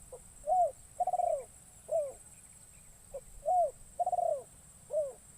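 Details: Trained spotted dove used as a lure in forest, calling on its first outing. Two clear phrases of soft cooing, each a short note, an arched coo, a longer rolling coo and a final arched coo. A faint steady whine sounds behind.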